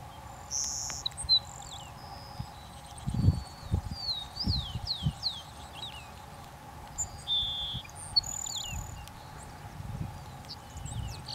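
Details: Grassland sparrow (Ammodramus humeralis) giving thin, high chips and short downslurred notes in scattered bursts, over a steady droning hum and low thumps of wind or handling.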